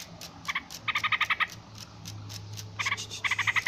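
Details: Yellow-vented bulbul giving brief bursts of fast, scratchy chirps, a short group and then a longer run, a pause, then two more quick clusters.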